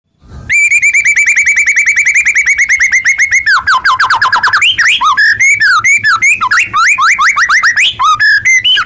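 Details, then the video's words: White-rumped shama singing loudly: a long, steady, rapidly pulsed buzzy trill held for three seconds, then a fast, varied run of whistled swoops, rising and falling slurs and sharp notes, very close and strong. "Pancingan Murai Batu Paling Ampuh!"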